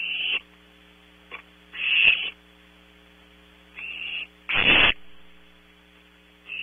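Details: Harsh rasping hisses of barn owl owlets at night in a nest box, Audubon Starr Ranch, California, some faint and short, others loud and longer, irregularly spaced over a steady hum.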